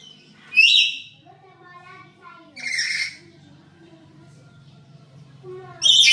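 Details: Black-capped lory kept at home, known as highly vocal, recorded as a lure: three harsh screeches spaced about two to three seconds apart, with soft tonal chatter between them.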